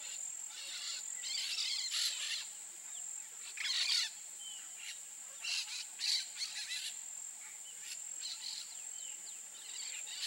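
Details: Peach-fronted parakeet giving harsh, scratchy screeches in short bursts spaced irregularly a few seconds apart, set against a constant high insect drone.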